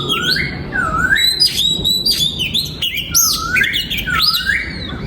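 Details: Oriental magpie-robin kept in a breeding aviary, singing a varied song of clear whistled slurs rising and falling, mixed with short harsher notes, over steady background noise.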